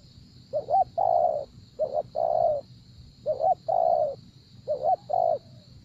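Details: Spotted dove cooing during decoy trapping: four low, mellow phrases, each two quick rising notes followed by a longer falling coo, spaced about 1.5 seconds apart, over a steady high-pitched whine and faint low rumble.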